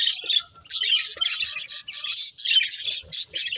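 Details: Breeding pair of pet budgerigars chirping: dense, scratchy warbling chatter in short bursts separated by brief pauses, with squawky notes mixed through.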